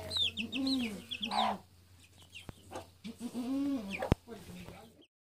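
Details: Mother hen with her chicks: drawn-out, nasal hen clucks with a rising-falling tone, mixed with bright, falling chick peeps, a sharp knock partway through and a brief human murmur.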